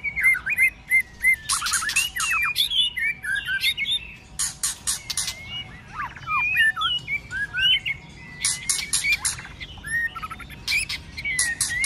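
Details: A white-rumped shama sings hard in a fighting style with many voices during the cold season, mixing fluid whistled phrases and rapid chatters with frequent loud clicks and tail-snapping bursts.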